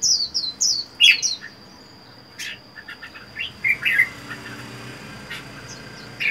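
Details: Wild-caught Red-whiskered bulbul, caged alone for four months, sings short bright chirps and quick downslurred whistles, bursts separated by brief pauses, with a faint steady high tone in the background.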